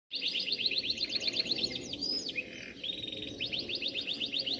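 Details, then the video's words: Canaries kept for breeding sing loudly in rapid rolling trills of high, bright, repeated notes. Brief sliding whistles break up the trills, and the fast pulsed series then resumes without a pause. "cananarios cantando muito"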